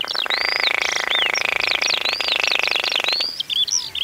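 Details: Baillon's crake in the Zuidlaardermeer area, Netherlands, in summer, where several pairs bred and one pair raised at least four young: a dry, pulsed, frog-like rattle running steadily for about three seconds, overlaid by varied whistled warbling from another songbird.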